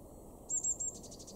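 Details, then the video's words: A Eurasian blue tit in a garden in Weener, East Frisia, northwest Germany, in April 2021 gives three very high, thin notes, then a quicker run of softer, fading high notes over a faint hum. "blue tit"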